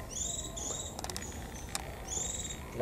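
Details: Japanese white-eye singing 'líu thung' phrases in 'họa kép' style on a cold 11 °C day: long, high, thin whistles with a lower parallel tone, interrupted by a burst of rapid clicks, then resumed.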